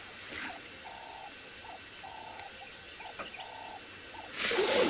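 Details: Ring-necked (Cape turtle) dove calling on a gorgeous sunrise drive, Feb 16, 2018, Sabi Sand area: a low, hollow cooing phrase about every second, steady and rhythmic, with a brief rush of wind or movement near the end.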